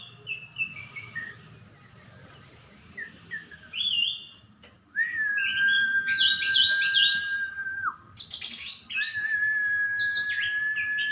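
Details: Orange-headed thrush, described as a forest bird that is currently failing to moult, singing with long steady whistles and fast high twittering bursts, over continuous low background noise.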